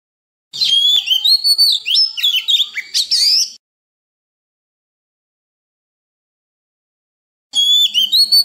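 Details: Oriental magpie-robin singing a wild-style song used daily to coach young birds and prompt newly caught birds to sing; a three-second flurry of quick, sweeping whistles and chirps, a long pause, then a fresh phrase starts.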